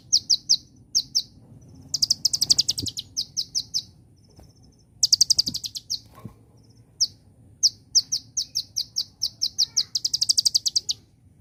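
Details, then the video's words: Konin sunbird song for tutoring caged birds: very high, dry chipping notes delivered in clusters and quick rattling runs, with brief pauses, over a low background hum. "Burung (KONIN) Kolibri Ninja Rasa Celilin, Ampuh Untuk Masteran Dan Pancing Bunyi"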